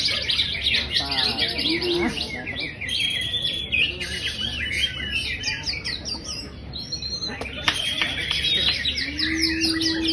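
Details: Greater green leafbird, a champion bird in high spirits, delivering a long, breathless medley of fast chips, trills and twitters. There are short low tonal sounds at the start and a sustained low hum closing the passage.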